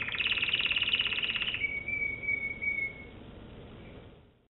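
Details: American Singer canary singing: a fast, high rolling trill for about a second and a half, then a steady, pure whistled note held for over a second before fading into quiet.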